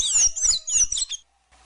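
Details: Sayaca tanager giving a rapid, high, squeaky twitter of tangled notes for about a second, then falling silent, with faint low rumble beneath.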